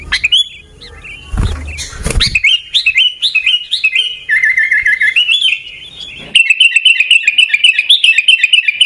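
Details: Sooty-headed bulbul from Pidie, Aceh, in Gaya Garuda style: a low thump at first, then fast strings of whistled, bouncing notes, and a final dense rapid chatter repeated about four times a second.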